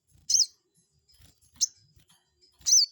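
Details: Crested jay giving lure calls meant to anger a rival and make it answer: three sharp, high, piercing chirps, each with a quick downward twist, spaced over roughly a second apart, with faint low thumps between.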